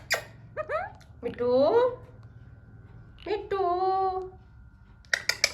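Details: Alexandrine parakeet, hand-tame, trying to talk: rising chirps, then two long wavering speech-like syllables, ending with sharp clicks, over a low room rumble.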